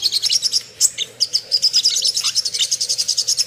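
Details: Ruby-cheeked sunbird lure song meant to excite birds to arousal and aggression: a rapid series of evenly spaced high, sharp chips, about six per second, after some scattered twitters.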